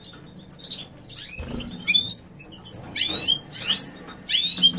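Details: A lutino female European goldfinch gives quick high chirps and tinkling, sweeping twitters in short clusters, with a soft rustle partway through.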